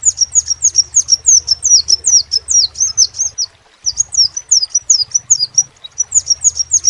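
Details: Singing crimson sunbird: long rapid chain of high, sharp, falling notes, broken by a short silence, then continued at the same fast tempo with low hum underneath.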